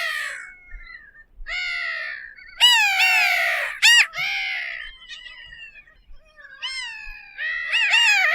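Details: Bridled tern calls: a mix of short yelps and longer grating, harmonic wails delivered irregularly, with one sharp high note in the middle.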